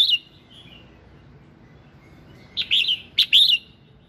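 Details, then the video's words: Red-whiskered bulbul morning song used to prompt other birds to sing: a thin whistled note, a pause, then two bursts of bright warbled phrases near the end over a quiet, steady background. "Tiếng Kích Giọng Chào Mào Hót Sáng"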